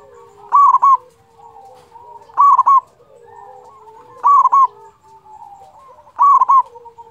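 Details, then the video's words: ['Local zebra dove singing to rouse other doves: four loud stuttering coo phrases at a steady rhythm of about one every two seconds, low humming coos and quieter dove calls between them.'] "pancingan perkutut lokal gacor suara ampuh bikin lawan cepat bunyi"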